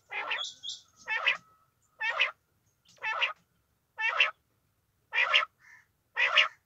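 A female quail gives harsh, raspy notes about once a second, each short and buzzy with a rough nasal edge, in an otherwise quiet setting.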